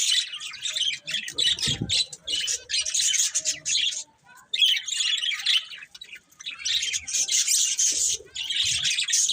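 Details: Several budgies singing as they eat, bursts of rapid buzzy chirping chatter separated by short gaps, with occasional low pecking knocks.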